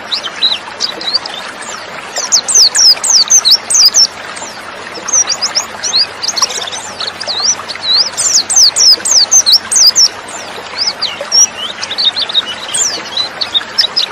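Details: Female white-eye sound used as a lure to make males sing fast. Long runs of rapid, thin, falling high chirps rise and fall in bursts over a constant murmur of other birds in the background.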